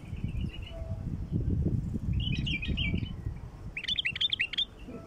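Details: Bulbul calls used to attract wild bulbuls: short wavering notes, then two bursts of quick, bubbly, up-and-down chirps, over heavy low rumbling background noise.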